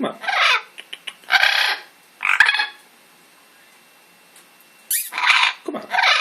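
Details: Pet Amazon parrot letting out loud, grating broadband squawks in bursts of about half a second, with a quiet pause in the middle before the raucous calls resume.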